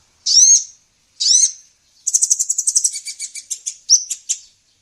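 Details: Female sunbird in a songbird training recording: two ringing, down-slurred whistles, then a fast, even trill of high chirps that slows and fades, closing with a few scattered chips.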